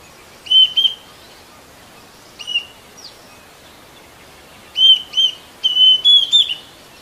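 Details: Green cuckoo (kedasih hijau) calling: clusters of short, high, clear whistled notes, some with quick upward inflections, given in bursts separated by pauses of one to two seconds, over a faint steady background hiss.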